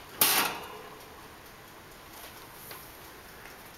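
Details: A single sharp click indoors, followed by a quiet room hush and a faint tap near the end.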